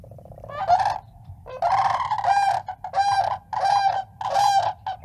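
Sandhill Cranes give loud, rolling, trumpeting calls with a rattling burr, in bursts about a second apart that overlap and rise and fall.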